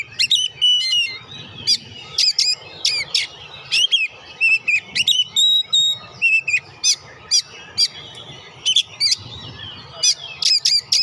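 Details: Sustained Oriental magpie-robin song aimed at rousing lazy birds to sing: a fast, varied series of sharp chips, twisting whistles and slurs repeated throughout with short gaps, faint low background noise.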